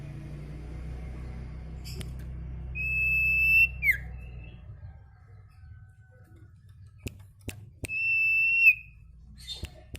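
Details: Sirtu kept caged, recorded as a training song for caged birds: two long level whistled notes, each closing with a quick downward slur, separated by sharp clicks and low indoor hum.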